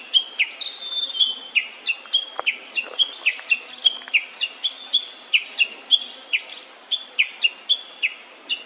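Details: Young blue-and-white flycatcher at meal time gives a quick run of high, thin, down-slurred chirps, about three each second, with a faint chatter of other small birds behind.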